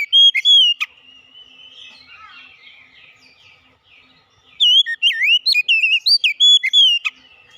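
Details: Oriental magpie-robin singing, meant to coax a silent magpie-robin back into full song: a brief whistled opening, a long stretch of soft scratchy twittering, then a strong run of varied looping whistles.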